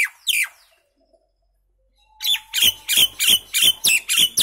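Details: Common myna: a single rasping note, a pause of nearly two seconds, then a steady series of seven harsh notes with falling whistle tones, about three per second.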